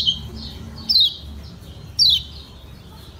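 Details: Lemon-bellied white-eye of Lombok uttering ciak-ciak calls used to make other birds respond: widely spaced, thin, high, downward-sliding chirps about once a second, with a soft low background rumble.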